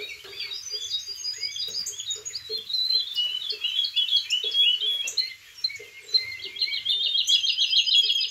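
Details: Young Belgian canary, 6.5 months old, warming up its song after tutoring by recording and a live tutor. It gives a rapid, continuous run of high chirps, trills and rolling phrases over soft clicking, with a woodlark and yellow-throated bunting singing in the background.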